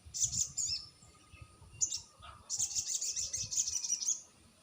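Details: Crested jay lure call used to provoke a reply from silent birds: short bursts of rapid, high, dry rattling notes, then a longer fast rattle of about two seconds, over faint low rumble.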